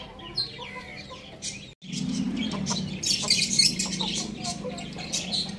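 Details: Young roosters feeding and drinking on a roof: soft low clucking runs through a busy mix of high, sharp peeps that grow denser toward the middle, after a brief dropout.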